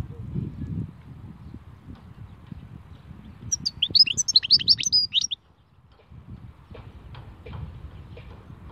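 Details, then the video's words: European goldfinch singing in the khalwi song style: a quick burst of high, tinkling twittered notes lasting under two seconds, rising and falling rapidly, over a low steady rumble of background noise. "Chant chardonneret khalwi"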